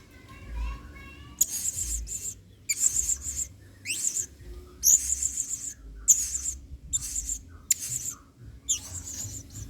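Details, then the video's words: Blue-crowned hanging parrot singing the lively singa style, used to train other birds; faint lower whistled tones at first, then a long series of piercing buzzy high bursts with sharp squeaks, separated by short silences. "BURUNG SERINDIT GACOR PENUH EMOSI MAIN SINGA"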